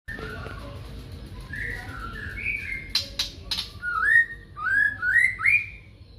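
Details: Magpie-robin singing in the morning: a string of clear whistled notes, some flat and some rising, leading into louder, upward-slurred whistles. A few sharp clicks sound in between, over a low background hum.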